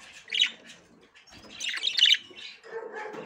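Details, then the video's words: A female budgerigar, inspecting the nest for the first time, gives scratchy squawking chirps in two clusters, the second louder and denser, followed by a lower, rougher chattering tail. "أنثى البادجي تحاول دخول العش لأول مرة"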